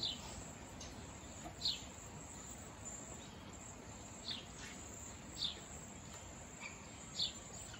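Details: Wild cedar waxwings in a flock chirp and whistle: short, very high, thin notes recur irregularly every one to two seconds against a quiet hissing background.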